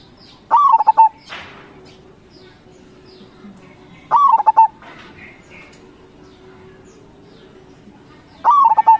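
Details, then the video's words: Local zebra dove (perkutut) in full song, crossing style: three cooing phrases about four seconds apart, each a slurred rising-then-falling coo followed by several short pulsed notes, over a quiet background. "Suara Perkutut CROSSING GACOR SUPER Paling dicari, Perkutut Lokal Gacor"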